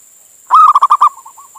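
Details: Male zebra dove calling to a female, used as a lure to draw other doves in or get them calling: a rich, pulsed coo around one pitch, a long first note then four quick beats, with fainter trailing coos and a steady electronic whine.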